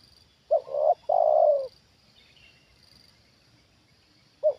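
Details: A trained decoy spotted dove reacts to a wild bird coming down for the second time. One full low phrase of two brief coos and a long drawn coo, then the start of another phrase, with a faint chirp in between.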